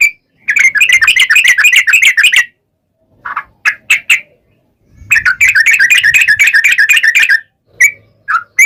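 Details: Sooty-headed bulbul (trucukan) delivering long rapid song as a lure to make other bulbuls sing back; two dense fast chattering runs, separated by a few short harsher notes, with short notes at the end.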